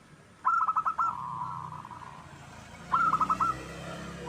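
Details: Local wild zebra dove singing, intended as a lure for other birds: two short bursts of five quick staccato notes separated by a long gap, over a steady background hiss.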